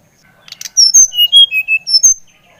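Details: A Bali brown-chested jungle flycatcher gives a brisk phrase of about eight clear whistles, dropping from high to mid pitch and then jumping back up, played to spur another bird into song.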